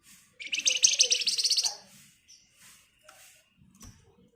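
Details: Javan white-eye giving the energetic "ngebren" song used to lure songbirds into answering: a loud, buzzy, high-pitched rattling trill of about a second, then a few faint chirps and clicks.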